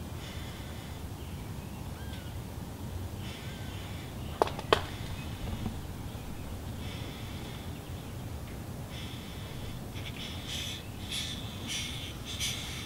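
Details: Red-bellied woodpecker nestlings around day 23 of nesting, very active: harsh, raspy, buzzing bursts in rough, repeated runs over a steady low rumble, with a couple of sharp knocks midway.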